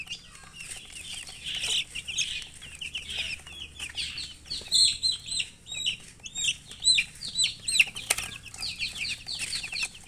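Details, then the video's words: Baby chickens peeping from thirst for water: loud, dense chorus of short, high, downslurred chirps repeating rapidly, several chicks calling at once, with a sharp click near the end. "Murgi chicks Chirping sounds with thirst for drink water"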